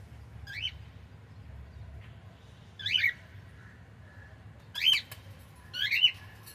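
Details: Four scratchy, rising-falling cockatiel screeches spaced one to two seconds apart, heard over a steady low rumbling background.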